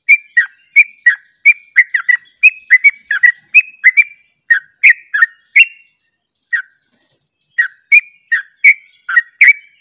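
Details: Sooty-headed bulbuls singing the rapid 'ropel' style, one joining another. A long run of bright, bubbly whistled notes in quick succession, a two-second pause, then the chattering phrases resume.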